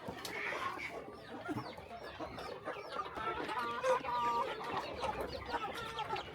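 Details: Morning feeding on a small countryside chicken farm: rapid, irregular clucking and chirping from the flock, several short upward-sweeping peeps early, then a denser run of repeated notes.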